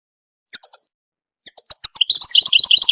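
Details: Goldfinch, recorded to stimulate and train birds: two or three sharp high chirps, a short silence, then rapid tinkling twitters that run together into a dense, jangling warble.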